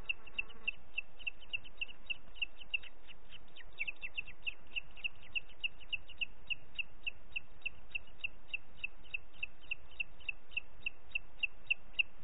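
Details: Calling booted eagle, Parc Natural dels Ports, 30 June 2021, late morning: rapid, high, piping notes repeated without a break, slightly uneven at first and then settling into a fast, even rhythm over faint hiss.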